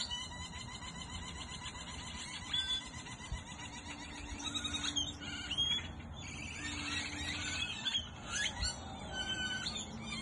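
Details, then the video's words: Hundreds of birds chirping as the sun sets in Goodyear, Arizona, a busy overlapping chorus of thin high chirps and twitters, with occasional louder squeaky notes over a constant low rumble. "Birds chirping"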